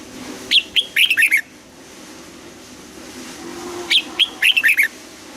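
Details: Two matching phrases from a red-whiskered bulbul singing in the old-forest double-note style in the morning, each a quick string of about six bright, slurred whistles, some three seconds apart.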